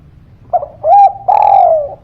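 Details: Energetic spotted dove cooing used to make lazy birds respond: a soft stuttered note, a rising coo that holds level, then a long slowly descending coo with a low hum underneath.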